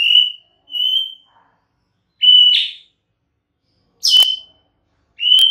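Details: Clear, high, piercing whistles from a white-rumped shama, repeated at irregular intervals of about one to two seconds, several ending in a short buzzy flourish.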